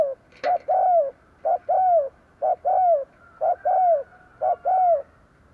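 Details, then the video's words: Lure spotted dove cooing to draw in wild birds, five regular phrases about once a second, each a short note followed by a longer mellow coo dropping in pitch at the end. "Tiếng cu gáy mồi gù gáy kích bổi nhanh nổi / Cu gáy gù gáy kích bổi hiệu quả"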